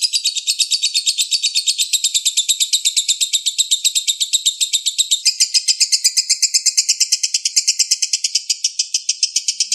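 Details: Continuous, closely spaced song of a balibu lovebird, recorded as teaching material for competition birds: shrill, squeaky chirps pour out nonstop for nearly ten seconds, briefly shifting tone midway while the quick rhythm holds.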